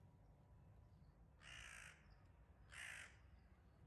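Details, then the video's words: Crows attacking a wildcat, recorded 9 May 2022: two harsh, hoarse caws about a second apart, each roughly half a second long, over a low steady rumble of background noise. "A Wildcat attacked by crows"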